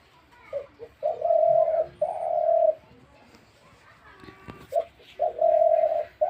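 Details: Spotted dove kept as a captive bird, calling indoors with soft low coos. A short note or two leads into long, even, hollow coos, and the phrase is repeated after a quiet gap.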